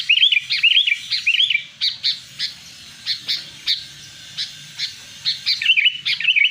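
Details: Sooty-headed bulbul lure call used to draw in wild birds: a rapid run of looping, warbled whistles at the start, then spaced, clipped chirping notes repeated about every half second.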